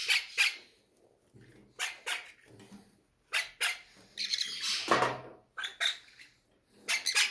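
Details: Parrots hungry at feeding time in an aviary make hoarse squawks, singly and in pairs, with one longer drawn-out rasping cry midway, plus faint low thumps of handling.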